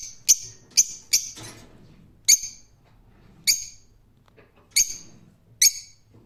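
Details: Rose-ringed parakeet calling: sharp, shrill, grating shrieks delivered singly or in quick pairs, spaced one to two seconds apart, against a quiet background with a faint low murmur.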